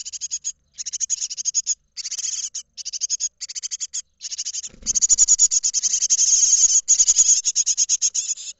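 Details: Great tit nestlings in a nest box in Israel, 31 March 2021, about to fledge, give dense, rapid trains of high, harsh begging notes in near-continuous bursts, with a brief low thump midway.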